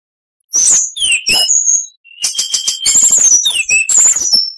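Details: Oriental magpie-robin (kacer) song used as training material for other birds: loud varied phrases of whistles, rapid buzzy trills and harsh rattling notes, after a short silence, with a brief pause midway.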